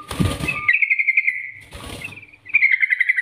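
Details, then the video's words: Trucukan, the yellow-vented bulbul, giving 'nggaruda' master song meant to spur other birds into singing: a loud noisy burst, then two rapid level rattling trills separated by a pause. "Masteran Trucukan Gacor NGGARUDA ini Rekomendasi untuk pancingan trucukan agar bunyi gacor"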